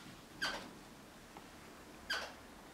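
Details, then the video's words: Crimson rosella guarding a sock, uttering two short, sharp, grating squawks about one and a half seconds apart over a quiet background. "Crimson Rosella protecting sock"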